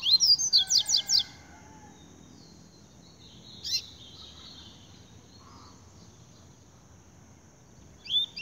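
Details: Double-collared seedeater song: a fast burst of about eight bright, high slurred notes opening the clip, followed by a brief harsh note and long quiet hiss, with another note starting at the end.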